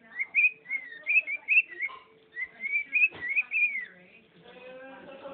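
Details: Pet bird whistling the tune "bird is the word": clear, slurred whistled phrases in quick runs of rising and falling notes, two bursts separated by a short pause, ending with a softer low tone.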